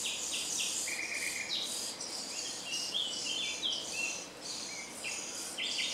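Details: Common starling song from a grove by Jarun, Zagreb, Croatia, recorded 30 April or 2 May 2017; continuous medley of buzzy wheezes, short flat whistles and high squeaks, phrases following each other with hardly a pause.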